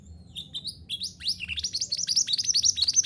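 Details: Mantenan gunung singing to get caged birds singing: a few soft high notes, then an excited string of sharp, rising and falling chirps repeated quickly and growing louder, with faint low hum beneath.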